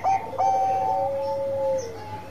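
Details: Bangkok zebra dove singing: two quick note onsets lead into long, smooth coos held at two overlapping pitches, the lower one sliding down at the end.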